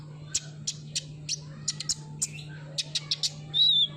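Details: Van Hasselt's sunbird (kolibri ninja) lure song for a bird that has stopped singing: quick run of high, clipped chirps spaced about three per second, ending in a brief thin whistled note, over a constant low hum.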